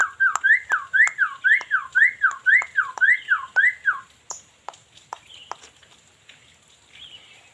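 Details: Black-winged myna singing from Cianjur: a rhythmic series of about eleven loud, rising-then-falling whistled notes, roughly three per second, then quieter scattered clicks and short chirps.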